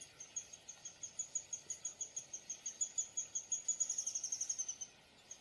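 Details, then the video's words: Downy woodpecker repeating thin, high chip notes that gradually speed up into a rapid burst before stopping, then one last note, over faint noise. "Downy woodpecker call / song / sounds"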